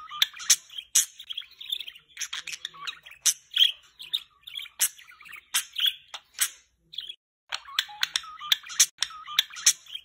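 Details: Pet budgerigar playing on its swing; steady chattering warble of squeaky whistled notes and scratchy trills, broken by frequent sharp clicks and a brief pause around the middle.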